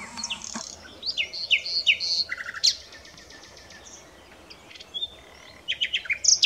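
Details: Varied common nightingale song: quick bursts of chattering high notes and whistles, a pause with faint scattered sounds, then another rapid jumble of sharp notes.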